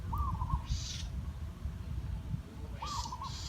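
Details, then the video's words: A zebra dove, a trained decoy used to lure wild doves, gives two short, rolling, bubbly coo phrases about three seconds apart, an unusual 'wow-kok-kok' crow, over a steady low rumble with brief hissing bursts. "นกป่าเสียงดีๆทั้งนั้น ขัน”ว้าวก๊กๆ”แปลกหู"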